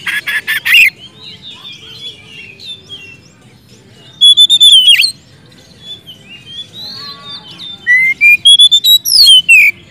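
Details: An Oriental magpie-robin sings loud, varied whistled phrases to call a rival, with clear rising and falling notes and sharp chattering bursts broken by short pauses.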